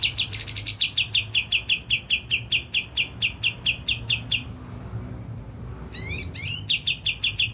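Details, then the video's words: Kapas tembak song used as a lure to excite birds: long run of crisp repeated chirps, a brief gap, then upward swept notes and chirping resumes. "Pancingan kapas tembak langsung emosi dan bunyi"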